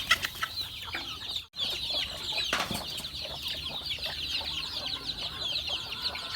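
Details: Chickens fed on a farm: a constant shrill chirping chorus from many birds, briefly cut off for an instant, with one louder burst shortly after and soft clucks beneath.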